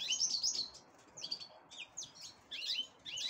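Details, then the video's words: Black-headed canary getting ready to breed, giving short high twittering phrases of quick chirps and downslurred notes, a few per second, over quiet background hiss. "Serinus Alario Alario. Preparándose para la cría ."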